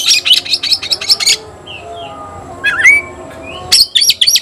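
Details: Fight-challenge calling of a white-rumped shama: quick bright high notes, a pause with faint soft whistles, a dipping slurred phrase, then more rapid ringing notes.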